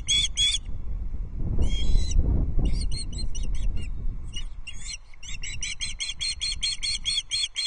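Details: Osprey chicks at feeding time on a Loch Arkaig nest, 14 June 2024; bursts of high, harmonic chirps separated by pauses, ending in a fast, regular run of notes, with wind buffeting.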